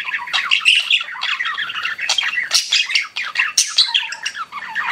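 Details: Pet budgies in full chatter: tumbling scratchy chirps, short squawks and occasional piercing whistled notes overlapping in a steady busy stream.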